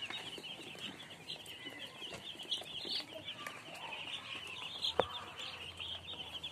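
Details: Many baby chickens peep together in a steady stream of shrill, quick chirps, with a few louder single notes standing out and faint low background hum.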